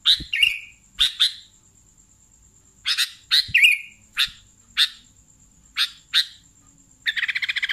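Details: Sooty-headed bulbul chirping in sharp paired notes with short slurred tails, separated by pauses, ending in a fast buzzy stutter of rapid repeated notes; a thin high whine continues throughout.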